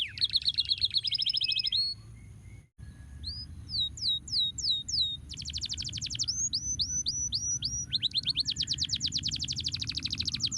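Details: Canary song played to stimulate lazy canaries to sing: fast trills of downslurred whistled notes, a brief gap, then rising slurs and dense buzzy rolls, over a low steady hum.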